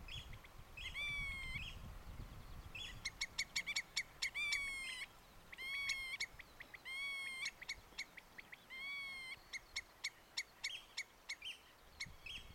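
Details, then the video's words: Common redshank giving alarm calls in the province of Groningen, Netherlands: loud, ringing, downslurred piping notes delivered in rapid repeated bursts, several notes a second, with short pauses between series, over faint background noise. "Alarmerende tureluur"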